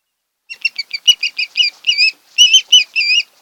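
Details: Osprey calling at its Maryland nest on Kent Island in late August: quick high chirps that speed up, then lengthen into longer, ringing whistled notes in two bursts.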